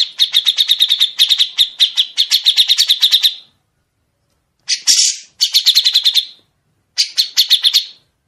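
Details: Grey-cheeked bulbul giving long, sharp, clear rapid-note song phrases, used as a tutor recording for songbirds to copy: dense runs of short chirps repeated about seven per second in bursts of three seconds, then shorter bursts after pauses, with a harsh buzzy note between. Otherwise quiet.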